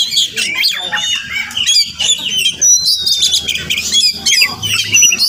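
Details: Morning visitor to a home, a wild Oriental magpie-robin delivers a varied song of sharp whistles, a long gliding note and scratchy bursts, repeated in quick phrases, with a faint low hum behind.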